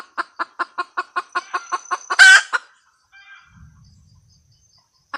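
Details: Cackle of a female red junglefowl: quick repeated clucks building to one loud raspy squawk, then near silence with a faint low rumble and a final cluck.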